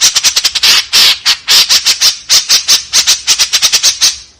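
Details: White-breasted woodswallow in a 'tembakan kasar' style: a continuous string of harsh, scratchy notes repeated several times a second, with uneven spacing and steady loudness throughout.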